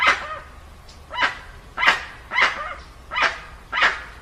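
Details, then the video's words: Dusky-legged guan recorded clean, without added sound effects: six loud, harsh, barking honks, each a short broadband burst, spaced roughly 0.6 seconds apart over a quiet background. "Som limpo do canto🎵 do Jacuguaçu"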